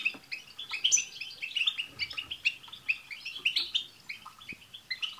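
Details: Several European goldfinches singing together, a recording used to prompt a pet goldfinch to sing: dense overlapping bright twittering and tinkling notes, quick chirps and trills tumbling continuously with no pause.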